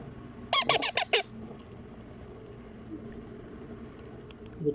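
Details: Baby Indian ringneck parrot begging while being hand-fed indoors: a quick burst of five harsh, nasal squawks in under a second, then quiet room noise with a soft voice.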